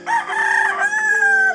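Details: A rooster, unseen, crows in a village near a grandmother's house: one long, loud, tonal crow holding steady then dipping slightly at the end, with no other sounds.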